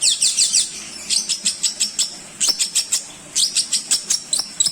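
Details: Long-tailed shrike (cendet) song used to train songbirds, here a run of very high sharp chips repeated rapidly in groups of four to six over a faint hiss.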